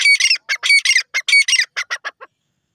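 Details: Grey francolin (teetar) calling in a loud burst of rasping, squeaky syllables, clustered in rapid pairs and triplets that grow shorter and quieter toward the end, around a dozen notes in just over two seconds.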